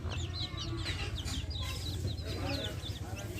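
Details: Backyard hens with chicks: many high, rising-falling chick peeps repeated rapidly over soft low hen clucks, with a steady low hum underneath.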